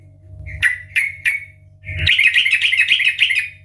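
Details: Loud ngeplong garuda style song of a sooty-headed bulbul, played to trigger singing: a soft lead-in note, three quick descending whistled notes, then an extended fast, warbling chatter, with a faint constant low hum behind.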